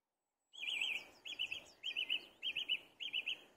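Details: A song thrush at the top of a tree sings one short, bright whistled phrase, repeated five times in a row at a steady pace, with little background sound.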